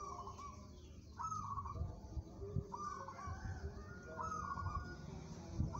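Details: Local zebra dove described as steady-nerved and suited to song competition, giving short purring, trilled coos around a low whistle pitch, about five phrases spaced roughly a second apart, over a low rumbling background.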